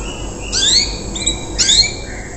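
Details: Untrained canary giving part of its coarse riwikan song, meant to lead other canaries to copy; two harsh, buzzy squawk-like notes with rising overtones, half a second apart, over a low hum.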